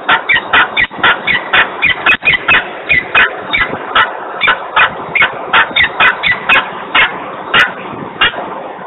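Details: Peregrine falcon calling loudly and persistently in Włocławek, Poland, on 3 December 2020 at 10:36; a steady series of harsh, rasping kak-like notes repeated about three times per second throughout, over faint hiss.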